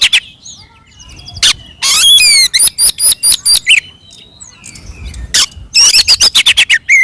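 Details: Oriental magpie-robin in aggressive fighting song meant to goad other birds: a mix of clear high whistles, a loud harsh buzz, then evenly spaced sharp notes, a quiet pause, and more whistled, chattering phrases.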